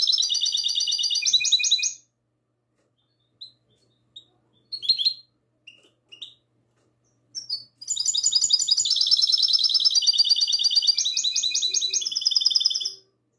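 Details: Classic-style song of a goldfinch hybrid, night of 22 March 2020: a rapid buzzy trill, a pause with scattered chirps and twitters, then a longer run of fast, ringing, high trilled phrases ending in clear notes.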